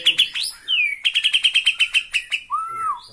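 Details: White-rumped shama in excited song on seeing a rival: a fast series of about a dozen sharp, evenly spaced chirps on one pitch, preceded by a slurred whistle and followed by a smooth rising-falling whistled note.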